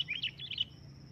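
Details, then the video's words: Sooty-headed bulbul calling with a quick string of four or five bubbly, rising-and-falling whistled notes within about half a second, fairly soft, with a steady high tone behind. "suara keras burung kutilang memanggil di jamin langsung nyaut"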